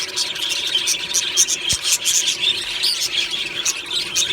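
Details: Morning chatter from an aviary colony of budgies, described as happy singing: constant warbling with bright, clicky chirps and squeaks popping out irregularly over the crowd of voices, plus one short low thump.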